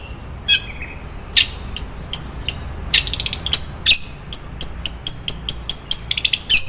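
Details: Long-tailed shrike singing a rich varied 'isian' song: sharp, high clicking notes repeated about three times a second, with a thin sustained whistle behind them and a faint quiet twitter at the start.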